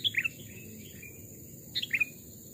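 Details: Sooty-headed bulbul, a captive decoy bird aged two or three, raised from a chick, tested in a forest. Two short bursts of bright chirpy notes, sliding between high and mid pitch, with a steady insect-like hiss behind.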